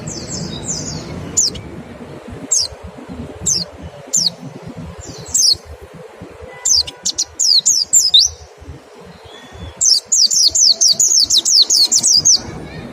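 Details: White-eye 'nembak' song for stimulating other birds to sing: widely spaced single high downslurred whistles, a cluster around eight seconds, then a fast burst of about a dozen sharp falling notes near the end.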